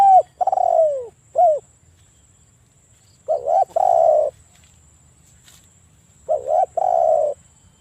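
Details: Spotted dove cooing with a big voice, used as a morning-to-night lure to draw other spotted doves into calling; clear, hollow, falling coos in phrases of two or three notes, repeated about every three seconds over a quiet background.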